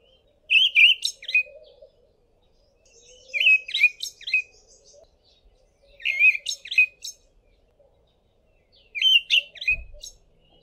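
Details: Olive thrush in South Africa, singing from a tall tree: four varied phrases of rich whistles mixed with high squeaky notes, each about a second long and spaced roughly three seconds apart, over a faint steady low hum.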